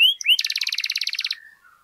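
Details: Canary lure song, played to rouse other canaries' emotion so they start singing: a sharp rising whistle, then a rapid buzzy trill of about twenty even notes over one second that fades to soft trailing tones.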